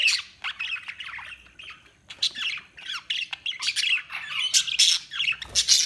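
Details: Lively budgie chatter, rapid overlapping chirps and harsh squeaky notes repeated almost without pause, growing louder toward the end.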